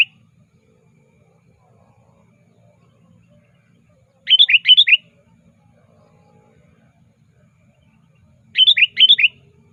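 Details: Sooty-headed bulbul calling actively to a rival, a recording meant as a lure: two short bursts of four bright, wavering chirps, the bursts about four seconds apart, with faint low hum between.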